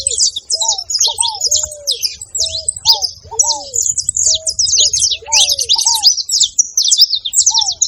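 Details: Saffron finch giving quick runs of sharp high chips in uneven bursts. Lower slurred whistles come in pairs now and then.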